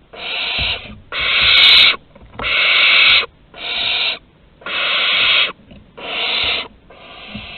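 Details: Barn owl nestlings hissing for food during deliveries at the entrance, Théding, 15 August 2020: seven steady, rasping hiss bursts in quick succession, roughly one every second, the last one fainter.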